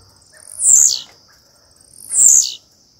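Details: Female blue-black grassquit soliciting mating: two thin, very high whistled notes, each rising and then sliding down, about one and a half seconds apart, over a steady high-pitched whine.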